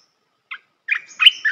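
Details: A brief chirp, a pause, then rising and falling warbled notes: part of a red-whiskered bulbul training song for young birds.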